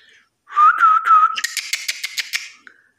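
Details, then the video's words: Tame common myna that flew into a home and is now raised there, imitating human speech: a brief warbling whistle, then a rapid series of harsh, clicky, voice-like syllables, indoors. "শালিক পাখি কিবাবে মানুষের মত কথা বলে শুনেন"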